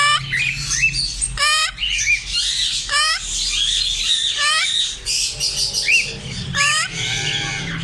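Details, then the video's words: African grey parrots making harsh rising squawks and whistled notes in irregular bursts, several calls overlapping, steady low hum underneath. "African grey parrots||parrot talking natural sounds"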